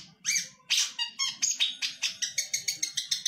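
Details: Long-tailed shrike kept as a competition songbird in Indonesia delivers mimicked material. A few harsh scratchy notes speed up into a steady string of sharp clipped chips, about five per second, over a low indoor hum.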